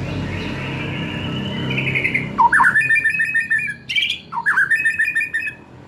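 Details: Young forest-caught white-rumped shama (murai batu) with spotted juvenile plumage. A thin drawn-out whistle over low background hum is followed by two loud whistled phrases, each opening with a low upward slur.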